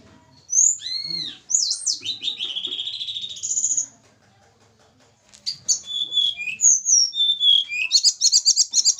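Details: Javan hill blue flycatcher in a pairing cage sings arching whistles and long level sweet tones. After a pause come falling slurred notes and a rapid high trill at the end.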